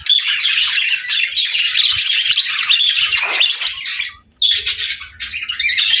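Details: Pet budgerigar warbling in a small room, a continuous buzzy, rasping chatter full of rapid chirps, broken by a brief silence near the end before the chatter resumes.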